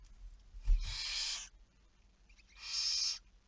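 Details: Barn owl at 23:34 on 11 May 2019 giving two hoarse, hissy screeches about a second and a half apart, preceded by a low thump.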